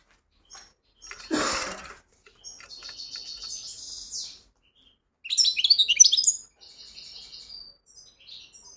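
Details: European goldfinch singing: bursts of rapid, tinkling, high twittering phrases with buzzy trills, separated by short pauses, with one brief broadband rustle early on.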